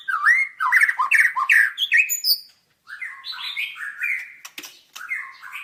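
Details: White-rumped shama delivering quick slurred whistles and chattering notes in fast succession. After a brief pause come lower, blurrier warbled phrases.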